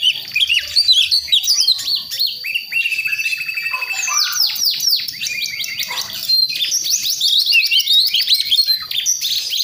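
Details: Young White-rumped shama of the Priangan strain from West Java forest, learning to sing: a busy mix of whistled slurs, quick repeated down-swept notes and scratchy chatter, loud and sustained.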